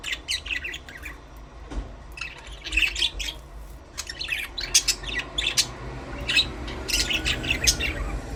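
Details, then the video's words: Budgerigar chirping: a steady stream of short, high, scratchy chirps and warbles in quick irregular bursts, with brief louder squawky notes throughout. "Budgies parrot chirping sound"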